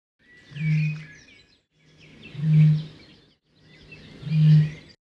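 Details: Male Eurasian bittern booming in spring at Bastemose, Bornholm, Denmark, from a camera hidden in the stream: three deep, hollow foghorn-like booms about every two seconds, each led by a soft intake note; faint songbirds twitter behind.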